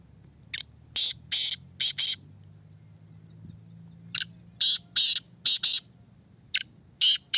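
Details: Black francolin (Kala Teetar) kept in a cage and tested, giving two runs of harsh, buzzy grating notes, four to five bursts each, separated by a quiet pause with faint low murmuring voices in the background.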